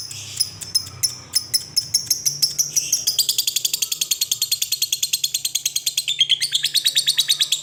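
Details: Lovebird giving its long ngekek call, starting with a few spaced sharp chirps, then breaking into a fast, steady run of shrill rattling notes lasting several seconds, faint low hum beneath.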